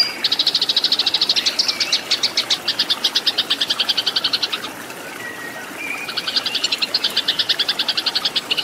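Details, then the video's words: Loud, clear fighting song of a Eurasian tree sparrow for cage-bird training: rapid high chattering notes in long bursts, broken by a short quiet gap near the middle before the chatter resumes. "MASTERAN BURUNG GEREJA TARUNG"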